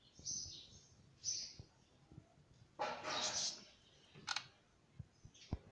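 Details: Pet Indian ringneck parrot, a green bird kept at home, giving brief high squeaky notes early on, then a louder harsh rasping burst midway and a sharp squeak later, with scattered clicks and knocks around it.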